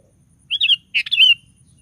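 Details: Sooty-headed bulbul in lively song, used as a lure to provoke other bulbuls into singing: two short bubbly whistled phrases, the second longer and falling away, over faint low hum.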